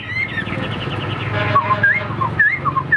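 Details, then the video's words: Caged Hwamei kept for fighting display gives a few clear whistled notes that bend up and down, spaced apart, over a steady low droning background. "Đẹp đấu xòe chất giọng cực hay"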